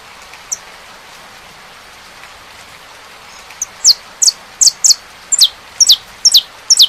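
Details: Saffron finch song with rain: several seconds of rain hiss and faint notes, then a burst of about eleven clear, high, downslurred chips at a quick, irregular pace.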